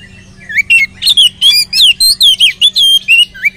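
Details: Oriental magpie-robin in full song, used as a lure to get other magpie-robins singing: a quick run of loud, clear whistled notes, bending up and down and packed closely together, over a faint steady low hum.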